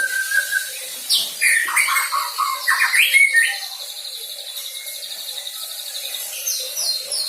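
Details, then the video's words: White-rumped shama fresh out of juvenile plumage, learning song material: a clear whistled note, then a rich tumbling phrase of varied whistles, followed by softer, faint high twittering. "MURAI BATU PASTOL GACOR BELAJAR BAWA MATERI....."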